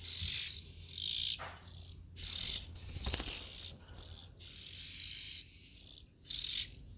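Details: Harsh, sibilant calls from young Oriental magpie-robins: about ten hissing bursts in seven seconds, uneven in length, a few longer drawn-out rasps among shorter ones, all high and noisy.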